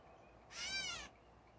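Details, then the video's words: Catbird recorded earlier in the day: one short, nasal, cat-like mew, rough-textured and slurring, set against a still background. "Catbird #momentofzen earlier today.."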